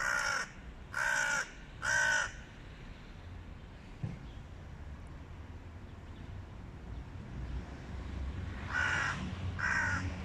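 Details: Hooded crows in a group battling a stray cat, three rasping caws in quick succession, a pause with low rumble, then two more caws near the end.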